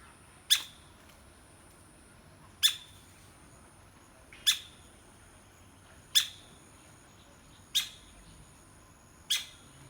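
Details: A woodpecker taps steadily, six sharp, bright knocks spaced roughly two seconds apart, each with a brief ringing decay, over soft background hiss.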